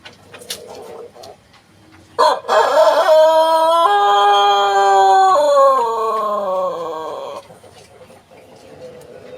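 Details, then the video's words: A white Pelung chicken gives a long, loud crow. It bursts in sharply, holds a rich, level tone for several seconds, then slides downward as it fades. Faint background clatter and murmur come before and after. "Suara Ayam Pelung Putih Istimewa"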